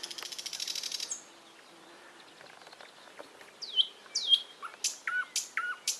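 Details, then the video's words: A bird's buzzy trill fades out in the first second. After a quiet gap, sharp, high downslurred chirps repeat roughly every half second. "голоса птиц"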